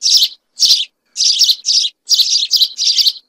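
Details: House sparrows, a group singing together: seven bright, rasping cheeps in just over three seconds, several run in quick pairs, over a silent, clean background.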